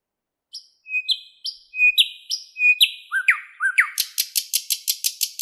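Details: Thrush nightingale (Luscinia luscinia) singing in a Moscow park on 11 May 2016 at 08:15: a phrase of clear, high whistled notes that speeds into a loud, dry rattle of rapid clicks, about five per second.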